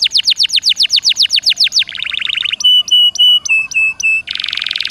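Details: Canary in energetic 'gacor dor nembak' song, played to make a silent canary sing: a fast trill of falling notes, a lower quick trill, a series of short level whistles, and a closing buzzy roll.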